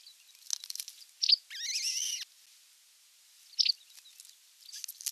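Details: Osprey at the nest on 27 June 2022 as a whole fish arrives for dinner: short sharp high chips, then a longer rising-and-falling whistled call with rich harmonics, then another sharp chip after a pause, over faint ticking.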